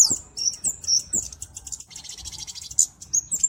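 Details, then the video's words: Flowerpecker song, offered as a master recording for training birds and as a lure: thin, very high sharp chips and short whistled notes, a brief buzzy rattling trill in the middle, and faint low background rumble. "Burung KEMADE // CABE CABEAN - Cocok Untuk Masteran Dan Pikat (Suara Jernih)"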